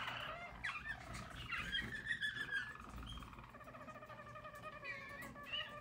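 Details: Harz German Roller canary, yellow, singing in 2022: soft rolling trills that rise and fall, with brief brighter upward slides early on, then a smoother, lower, steadily purring roll.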